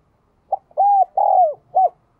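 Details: One clear four-note coo from a captive spotted dove: a short opening note, a long even coo, a longer coo gliding downward, then a short arched final note.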